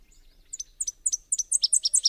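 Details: Faint Subalpine warbler (Sylvia cantillans) song: a series of sharp, very high notes, about four per second, growing louder and denser over a second and a half.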